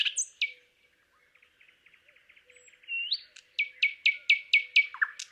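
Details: Thrush nightingale from Palupõhja in Estonia: a soft, low stuttering series, then a rising whistle and a run of about eight loud, sharply descending notes repeated every quarter second.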